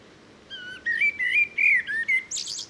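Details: Common blackbird delivering a smooth fluted phrase of slurred, warbling whistles, ending in a brief burst of high scratchy twitter.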